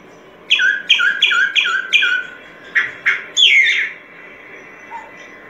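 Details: Solitary cacique (boyero pico blanco) song: a rapid series of five or six clipped, down-slurred notes, then two separate notes and a longer harsh, rising-falling phrase, followed by quiet.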